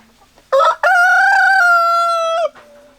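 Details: Rooster crowing: a loud, sustained, slightly hoarse crow lasting about two seconds after a short opening note, holding a steady pitch before dropping off at the end, over quiet background.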